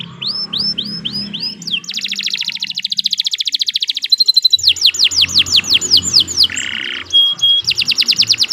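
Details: Singing canary recorded as a master for other birds: slurred whistles, a fast buzzing trill, a run of swooping descending notes, a harsh buzz and a final rapid trill.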